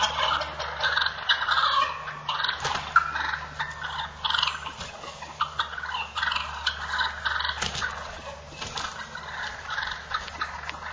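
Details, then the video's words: Fighting wild turkey toms giving a continuous jumble of raspy, chattering calls, loud at the start and easing slightly, with a sharp impact sound partway through and a constant low hum beneath. "Toms Fighting"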